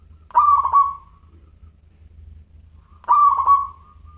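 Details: Keenly singing local zebra dove, crystal-voiced: two pulsed, rolling coo phrases roughly two and a half seconds apart, each trailing into a soft sustained note, over a quiet low pulsing hum.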